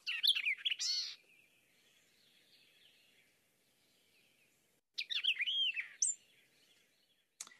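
White-eyed Vireo singing two quick, emphatic phrases of sharp chips, slurred whistles and a buzzy note, about four seconds apart.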